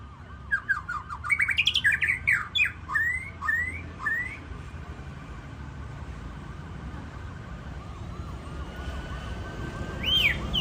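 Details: Champion white-rumped shama at a Ladong singing contest, delivering a quick cascade of sharp whistled notes and slurred phrases for about four seconds before falling quiet, with a continuous din of other birds in the background.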